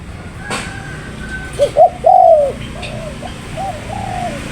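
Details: Spotted dove, called tekukur, giving one phrase of two short coos and a longer slurred coo, followed by fainter trailing coos, over a steady low background rumble.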